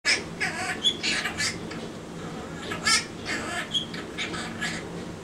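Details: Pet quaker parrot, caged, singing its version of the French song Alouette indoors: a run of short, raspy, buzzy syllables with a few clear whistled notes, in uneven phrases with brief pauses, in a small room.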